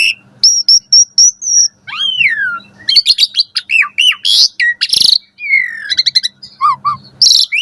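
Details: Caged-bird training song of an Asian pied starling in the morning: a row of repeated high whistles, a long descending slur, then fast chatter, harsh bursts and paired whistled notes.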